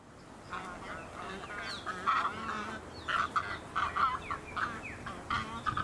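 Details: Australian white ibis (Threskiornis moluccus) on the Sunshine Coast, Queensland, in August 2023: several birds give overlapping hoarse, nasal honks in a busy, uneven chorus with a few brief rising squeals.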